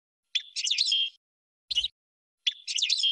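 A goldfinch sings two quick, liquid twittering phrases, each about a second long and ending in a clear held note, with a short sharp chirp between them.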